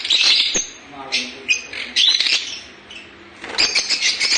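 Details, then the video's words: Lovebirds chirping in sharp, high squeaky bursts, several birds calling in quick irregular clusters with short pauses between them. "lovebirds chirping sounds."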